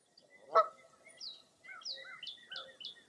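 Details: Foggy early April morning at Mirror Lake State Park in Baraboo, Wisconsin, with one loud harsh honking note followed by crisp high chirps that speed into a short descending run.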